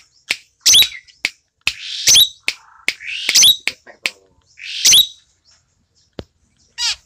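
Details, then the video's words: Tame, lively singing Asian glossy starling kept as a tutor bird for other songbirds: loud, clear, shrill notes, sharp whistled upslurs and harsh buzzy bursts, given in rapid uneven succession with short silent gaps. "Cucak Keling Gacor Jinak"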